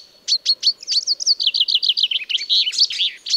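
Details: Common chaffinch song used as a hunting lure: a few sharp opening notes, then a rapid trill of slurred notes stepping downward, ending in a brisk flourish and a final high note, in clean quiet surroundings.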